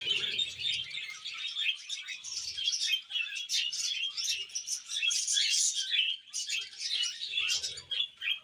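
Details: A pair of pet budgerigars chattering steadily: dense, scratchy warbling and chirping, a fast run of short buzzy and whistled notes with brief pauses, and faint low thumps in the background.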